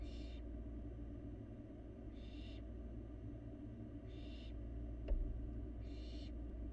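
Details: Barn owl fledgling getting food inside an empty nest box in Florida, live camera; four breathy, noisy screeches spaced about two seconds apart, one small tap, steady low hum behind.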